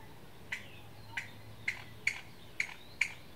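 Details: One Chinese bamboo partridge giving its alarm call at Qingjing, Nantou, Taiwan, on 6 July 2017: six sharp, clicking notes spaced about half a second apart, fairly faint against a quiet background.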